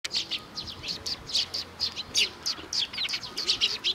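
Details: Several sparrows arriving to be fed at Tenmangu shrine on Nakanoshima, 7 June 2020, giving a steady stream of short high chirps, overlapping and repeated several times a second over a soft background murmur.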